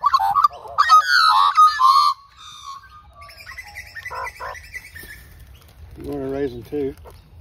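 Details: Two wild Australian magpie sisters being hand-fed at a local reserve, one singing; loud rich warbling and squawky notes in the first two seconds, then softer chortles and a short harmonic burst near the end, with a woman talking.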